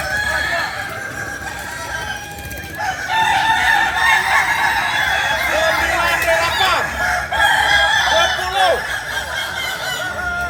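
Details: Kukuak Balenggek chicken, a native breed of Solok, West Sumatra, crowing: long drawn-out harmonic crows that rise and waver, overlapping with other crowing and clucking in a noisy, busy setting.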